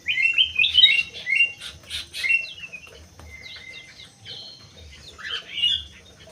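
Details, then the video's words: Crewet housed in an Indonesian aviary delivering a fast warbling phrase of high, sliding notes mixed with harsh bursts, then quieter scattered chirps and a final warble. "BURUNG CREWET"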